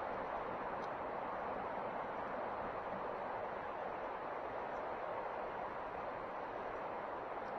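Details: Steady broad hiss like wind or distant traffic fills the whole stretch, with no calls or other distinct sounds standing out.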